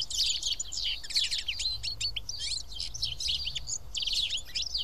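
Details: House sparrows gathered to feed at Karyotissa, Greece, chatter in loud clustered chirps, several birds calling at once in quick irregular bursts.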